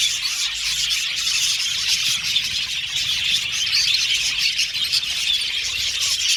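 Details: Chirping budgerigars whose contact calls serve to find companionship; a thick chorus of rapid high twitters and squeaky chirps with no clear pauses.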